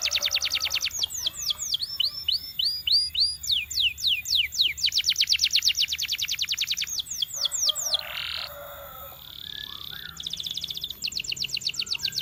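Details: Canary song from a trained bird, with repeated tours of rapid clipped high notes, a few slower slurred phrases, then a soft buzzy roll and another quick bright trill.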